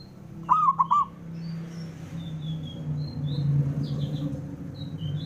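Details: A male local zebra dove calls to provoke rivals. One brief phrase of four or five quick, mellow, ringing coo notes opens the recording, followed by low rumbling background noise and scattered faint high chirps of other birds.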